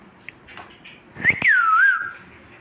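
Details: Pet talking parrot chirping: a few faint clicks, then one clear whistle that rises sharply, falls and wavers before fading.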